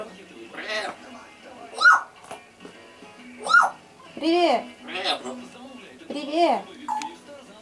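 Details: Grey parrot (Psittacus erithacus) named Roma, a pet, talking Russian in short speech-like phrases about a second apart ("privet", "poka"), shifting between male and female voices, with a few sharp whistled notes and faint music.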